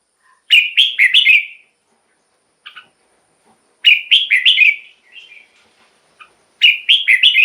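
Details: Decoy song of a red-whiskered bulbul for luring wild birds and exciting caged birds: three bursts of four fast whistled notes, each burst about three seconds apart, with short chirps between.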